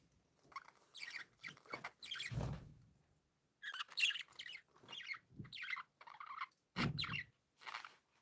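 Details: Happy pet budgerigars chirp in separate short bursts of buzzy, chattering warbles, about one burst per second, with some low thuds between them.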